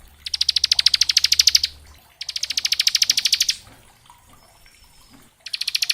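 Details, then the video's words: Lively 'ngebren' song of a bar-winged prinia, used to tutor young birds: repeated fast trills of crisp high clicks, each bout lasting over a second, with quiet gaps and a faint thin whistle between. "Suara Ciblek gacor ngebren syahdu"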